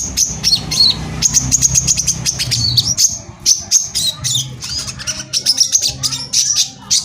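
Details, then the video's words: Brown-throated sunbird (korlap) in full, lively song in the rapid-fire 'tembakan rapat' style, used as a lure to stir other sunbirds. Dense bursts of sharp, high chirps and thin whistled trills tumble together almost without pause over a low background hum. "suara pancingan korlap gacor tembakan rapat"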